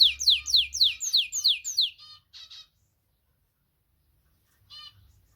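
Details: Canary song, white and crested birds, a burst of loud descending whistled notes about three per second for two seconds, then a few short chirps and a pause before another brief note.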